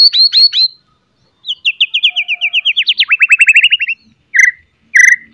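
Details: White-rumped shama in top form, its loud chatter and sharp whistling meant to make other shamas answer: three quick buzzy notes, a pause, a long rapid trill of descending slurred notes, then two loud clear whistles.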